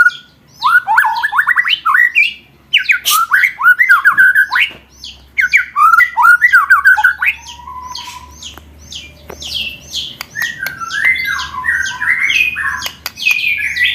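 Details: White-rumped shama song used as training material for contest birds, in the 'roll tembak' style: long busy stretches of rapid whistled and harsh notes, rolling runs, and sharp high sweeps, with occasional short pauses.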